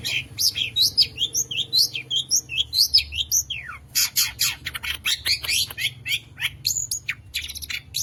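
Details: Contest-winning long-tailed shrike singing a varied song full of imitated calls of other birds, used to provoke other shrikes into singing. Fast high whistles, sharp rising and falling slurs, then a dense run of harsh clicks and scratchy chips.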